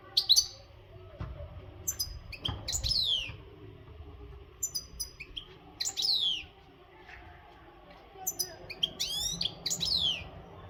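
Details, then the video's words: European goldfinch of the Maghreb type, an untutored bird in breeding readiness, singing strongly. High, bright chirps with sharp descending slurred notes come in bursts every one to three seconds over a faint low hum. "تغريد الحسون"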